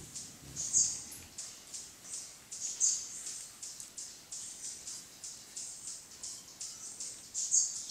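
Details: Velvet-purple coronet in Mindo, Ecuador, recorded at 15:00 on 22 July 2017 with a Sony Alpha A3000: thin, very high chips repeated roughly every half second, each note short and sharp over a quiet background.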